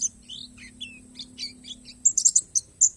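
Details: Short burst from a Bornean palas white-eye singing 'isian alam' style: a few soft slurred notes, then a quick cluster of loud, piercing high chips near the end, over a low hum.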